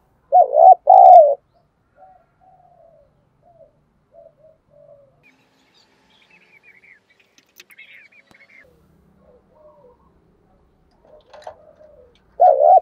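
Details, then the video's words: Captive decoy spotted dove recorded up close, calling to provoke and lure wild doves: a loud, low, throaty coo burst at the start and again at the end, with faint softer cooing notes in between. "Chim Cu Mồi Thúc Bổi Và Gáy Gọi Hay/ Tiếng Chim Cu Gáy Thúc Gù Căng"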